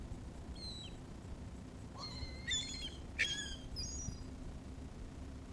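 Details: Gulls calling while people feed them, giving several short, sharp, harmonic squeals and yelps, two louder ones close together near the middle, with steady low outdoor noise beneath.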